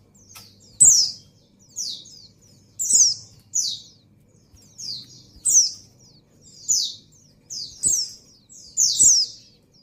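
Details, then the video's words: Female white-eye in breeding condition calling the male: high thin descending notes, loud and slurred, given in pairs or short runs about every second, with faint low hum beneath. "Suara Burung Pleci Betina Birahi Memanggil Jantan"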